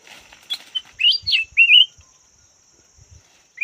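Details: Red-whiskered bulbul decoy bird, called chào mào vàng, singing a quick run of loud swooping whistles that slide up and down, then falling silent, with faint knocks and a steady high electronic tone behind.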